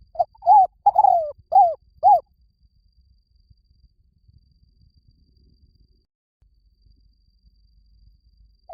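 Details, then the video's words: Spotted dove decoy call used to lure: a quick run of about five soft, hollow, low coos within two seconds, then a long quiet stretch, with a single coo returning at the very end. "tiếng chim cu gáy mồi chuẩn cực hay"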